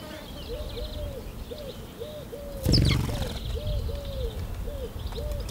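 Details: A Eurasian wryneck in a garden gives a steady run of short, nasal, slightly arched notes, about two per second; faint high twittering from other birds and a brief loud rustle.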